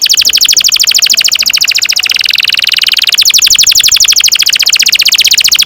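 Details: An unbroken canary roll of high notes, sung as a lure for young canaries to learn from. Tight trilled pulses run for almost six seconds, with a brief blurred stretch in the middle.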